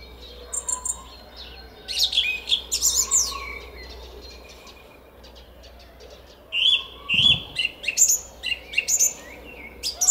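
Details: Song thrush trilling in a garden at Szalkszentmárton, Hungary, early on a spring morning, 10 April 2021: loose high chirps, a pause, then a phrase repeated several times in rapid succession.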